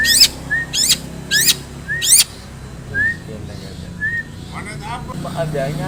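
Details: Long-tailed shrike singing varied mimicked material, used as a lure to make other shrikes sing. Steep, rapid buzzy chirps come roughly every half second, then short level whistles and a scratchy twittering run at the end. A man speaks afterwards.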